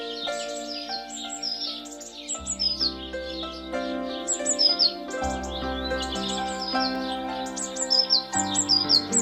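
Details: Garden house sparrow family group, noted as aggressive at the feeding station; busy, high-pitched chirps and twittering throughout, mixed with steady background music.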